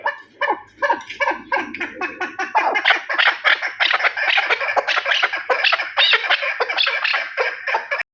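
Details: A Terali chukar partridge, called the best partridge, starts with a few spaced clucks, then breaks into a quick, crowded chattering of harsh chuk notes.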